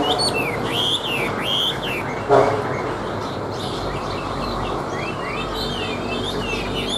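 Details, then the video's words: Caged, tame Chinese hwamei set on a table delivers loud looping whistled notes, followed by softer twisting phrases, with a single dull thump and constant low background noise. "Họa Mi Hót"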